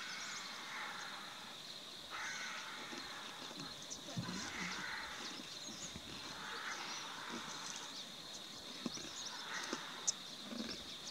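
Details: A mating pair of critically endangered African white-backed vultures in the iMfolozi section of Hluhluwe-iMfolozi Park, Zululand, give harsh, rasping hisses in bursts about every two seconds, over a steady high insect drone.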